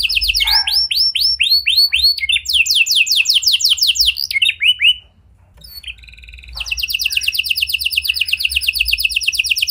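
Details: Chatty gacor domestic canary with a unique cengkok song style, played as a lure for silent canaries: rapid series of high, sweeping, descending notes, then a brief pause, a short buzzy phrase and a long fast, even trill.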